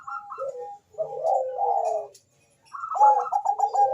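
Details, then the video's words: Bangkok zebra dove, prized for its sweet voice and played to encourage breeding and singing: short high coos, a long sliding mellow phrase, a silent gap, then a strong stuttered higher trill. "perkutut bangkok gacor suara merdu cocok untuk mendongkrak birahi dan bunyi"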